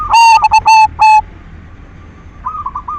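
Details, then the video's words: Lure song of a silver zebra dove meant to stimulate other doves to sing: one loud, clipped cooing burst of quick repeated notes lasting about a second, then soft hooked coos from farther doves. "Perkutut silver gacor SUARA PANCINGAN cocok buat merangsang BIRAHI BUNYI"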